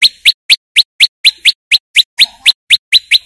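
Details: Loud male prinia, its song used for luring birds in the wild: a steady series of about fourteen bright, rising chip notes, roughly four per second, clear and uninterrupted.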